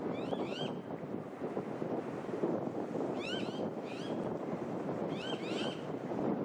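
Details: Eastern osprey calling on Queensland's Sunshine Coast in September 2021. It gives several clusters of rising whistled chirps, two or three notes each, over constant heavy wind or surf noise.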